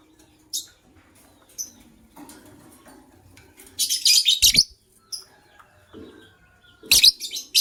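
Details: A pet white lovebird, one of a matched couple, chirping in the morning: scattered thin high chirps, then a dense burst of rasping chatter, a pause, and another harsh burst near the end.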